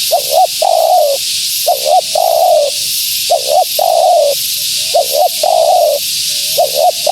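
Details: A female spotted dove's call for luring wild doves. Paired short notes are each followed by a long falling coo, the phrase repeating about every 1.3 seconds for over seven seconds, against high-pitched hiss.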